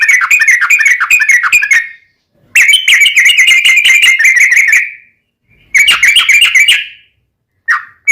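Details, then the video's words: Yellow-vented bulbul, ropelan tembus-tembus style with ngelituk and cucak rowo-like fill-ins, meant to tutor and lure caged birds: loud bursts of rapid bubbling chatter, each lasting one to two seconds, separated by short silences. "Trucuk Kicau istimewa Ropelan Tembus-tembus isian Ngelituk Cucak Rowo'an"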